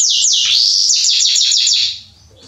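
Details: A male Belgian Salsa canary sings loud, sweeping whistled notes that drop from high to mid pitch, then a quick run of about eight repeated descending slurs.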